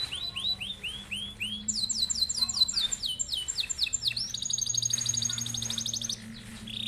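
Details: Canary with a long rolling song, used as a master for other birds: arched whistled notes leading into fast slurred phrases and a long, even, buzzy roll, with a faint low hum beneath.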